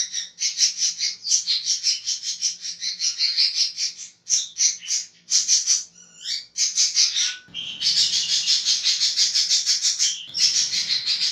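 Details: Budgerigar giving a harsh chattering call known locally as ngekek kasar: dense, raspy, rapidly pulsed chatter running almost continuously, with brief gaps near four and seven seconds and a few short whistled notes between bursts, over a faint low hum.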